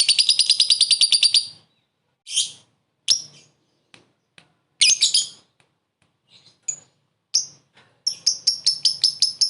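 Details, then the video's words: Lovebird calling a rival for luring: an opening rapid high chatter, then scattered harsh squawks and chirps with silences, ending in a fast run of clicking notes. "Suara burung lovebird memanggil lawan + ngekek pendek mantap buat pancingan"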